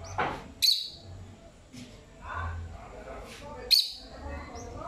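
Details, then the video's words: Pet lovebird singing while it explores indoors; two sharp, high, bright chirps about three seconds apart, with fainter short chirps between them over a low background rumble. "el agapornis haciendo canto de agapornis"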